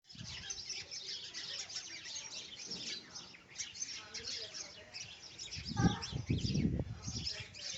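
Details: Little sparrow, locally called chittu kuruvi, in a natural outdoor setting: a dense stream of short, high chirps and tweets overlapping throughout, with low rumbling noise bursts near the end.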